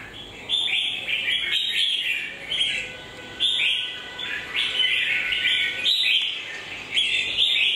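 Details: Red-whiskered bulbul, a well-formed bird whose beak skin is whitening and starting to peel, singing bright warbled phrases in quick bursts of rising and falling notes, with short pauses between runs.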